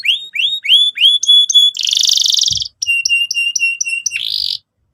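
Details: Canary song played to provoke other birds into singing: repeated rising whistled notes, a harsh buzzy burst, then quick chopped whistled phrases ending in another rough buzz.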